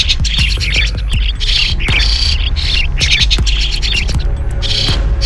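Starlings chatter in a busy stream of harsh, squeaky bursts and rasping notes, overlapping like a flock, over a steady low throbbing hum.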